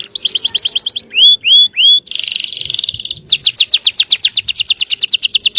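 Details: Yellow canary singing to provoke replies from other canaries: a quick trill, three upward-curving whistles, a dense buzzy roll, then a long run of fast repeated high notes.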